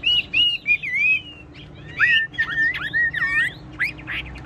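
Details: Tame caged Chinese hwamei singing: loud clear whistled phrases, some long and wavering, others sliding up and down in quick looping notes, with brief gaps between bursts over a faint low hum.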